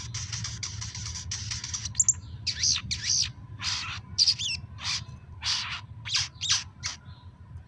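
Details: Little spiderhunter, a playback recording meant to stimulate quiet captive birds to call, giving sharp, high, chipping notes in quick bursts about twice a second, over a steady electrical hum and low background rumble.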